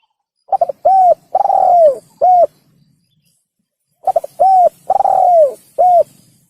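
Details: Spotted dove cooing for a hunting lure, two identical phrases about three and a half seconds apart, each a stammered start, a soft coo, a long coo slurring down, and a clipped last note.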